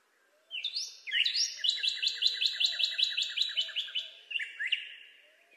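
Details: A Northern cardinal gives a loud, clear song. A pair of sharp downslurred whistles breaks into a long rapid series of repeated slurred notes, roughly six per second, then ends with two softer downslurs fading away.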